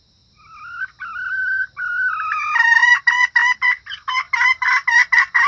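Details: Hen red junglefowl used as a lure for males and other females: soft, wavering drawn notes build in loudness, then break into rapid, evenly spaced harsh clucks, roughly three each second.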